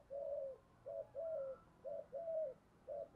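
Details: Soft, distant-sounding cooing from a spotted dove decoy luring wild doves: paired low coos, a short one then a longer one, repeated about every second, over a hissy background.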